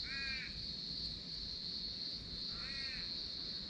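A Wonga pigeon gives two ringing, slightly nasal notes about two and a half seconds apart, over a steady high insect drone.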